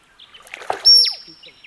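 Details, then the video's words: Male musk duck in display: a brief knock-like sound is followed by a single loud, piercing high whistle lasting about a quarter second, with faint splashy, watery noises around it. "Musk Duck. Sounds Of Display From Male. Piercing Whistles, Strange Loud Knocks"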